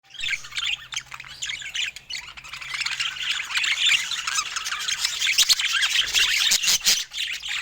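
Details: Budgerigars calling while feeding: a dense, continuous stream of bright, scratchy chirps and squawks from several birds at once, building slightly louder toward the end, with no music or voices.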